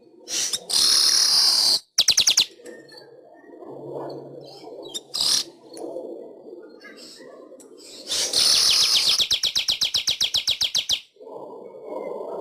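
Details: Weaver song recorded as a master for training pet birds: long loud sizzling buzzes alternate with quieter chatter, and later comes a rapid series of sharp ticking notes about four per second.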